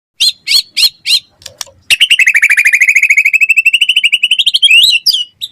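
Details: White-rumped shama singing in gacor style, used as a lure and master tutor for other shamas: four loud separate chirps, then a fast run of about thirty rapid repeated notes rising slightly, ending in twisting whistles.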